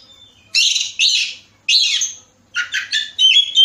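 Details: Oriental magpie-robin from Bekasi singing a lure song meant to set other birds singing: loud, rich, scratchy whistled phrases in short bursts separated by brief pauses, with varied rising and falling notes.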